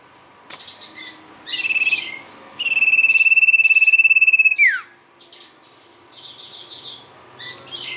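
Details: Sirtu (ashy tailorbird) song played as a lure: a brief high trill, then a longer two-second run of rapid even pulses ending in a sharp downward slide, followed by scattered high chirps.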